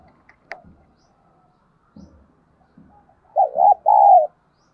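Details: Decoy spotted dove gives calling coos to attract other doves; scattered low clicks and murmurs come first, then a rolling coo followed by a longer sustained coo.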